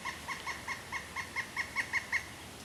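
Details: Pileated woodpecker giving a quick run of about ten loud, clear kuk notes, evenly spaced and growing slightly stronger toward the end, over a quiet background.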